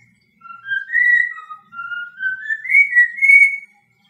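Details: Melodic whistling by a pet cockatiel performing "I Love Me Some Me": clean notes that climb in small steps over about three seconds, in a quiet room.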